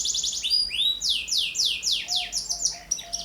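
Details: Energetic canary song meant to lure young canaries and tutor other birds: a quick high trill, then a series of loud descending whistled slurs repeated several times a second, with faint chirps at the end.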